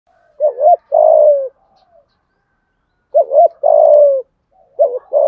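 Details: Spotted dove with a thổ-style voice, used as a decoy to lure wild doves, giving low hoarse coos: a short two-part note followed by a long drawn, slightly falling coo, the phrase repeated about every three seconds.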